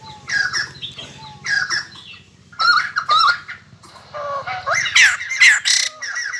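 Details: A captive white-crested laughingthrush, which the owner says sings and dances all day after eating geckos, gives loud, harsh cackling bursts mixed with rising whistled notes in uneven phrases every second or two, over a low hum.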